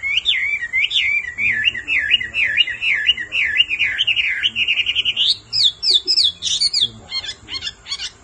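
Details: Female Hwamei calling without pause to excite a male to sing: a long wavering trill of looped whistles holds steady, then climbs into high, sharp, broken notes with short gaps.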